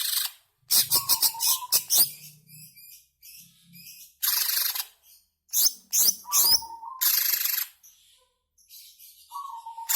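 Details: Greater green leafbird song used as a lure to provoke caged birds into singing: bursts of bright, scratchy chirps and rapid high twittering, broken by short pauses and a few clear whistled notes.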